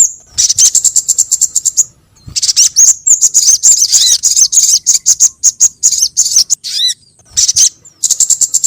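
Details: Sogon bird (crimson sunbird) lure call: fast bursts of very high, thin chipping notes strung into rapid trills, broken by short pauses and a few downslurred whistles near the end.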